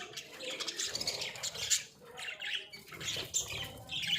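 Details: Caged pet budgerigars, Australian budgies kept in a small cage, make a softer, busy twittering of high scratchy chirps with a short dip in activity midway.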